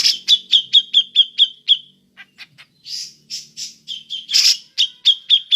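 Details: Ngepik calling of a grey-cheeked bulbul, used as a lure: a run of about seven quick, clear, repeated high notes, a few soft clicks, then harsh bursts and more repeated notes toward the end.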